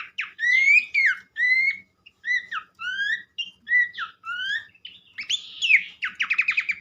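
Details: Pelanduk semak song made of repeated rising whistled phrases with short pauses, then a fast rattling trill of high notes at the end; a faint low hum sits underneath.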